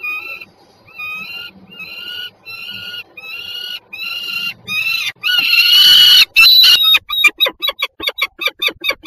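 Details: Pair of peregrine falcons recorded 26 September 2022 at Żerań in Warsaw, Poland: several evenly spaced grating wail notes, then a very loud rasping outburst breaking into a rapid, accelerating chatter of short, sharp kek notes.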